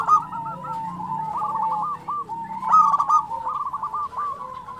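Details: Local zebra dove in full, persistent song: a string of rapid, pulsed, throaty coos at a steady mid pitch, with a louder burst of stuttering notes near the middle. A fainter second cooing line runs underneath.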